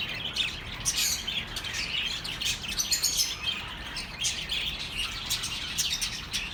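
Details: Birds twitter nonstop in relaxing sounds for lonely pet birds, with quick overlapping chirps and squeaks throughout.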